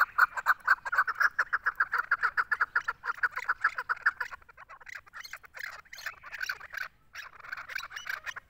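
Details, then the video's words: Female chukar calling: a rapid string of harsh clucking notes for four seconds, followed by a looser, uneven stretch of scratchier notes with more background noise. "3 mast shakari chakor voice zark awaz female chakor voice"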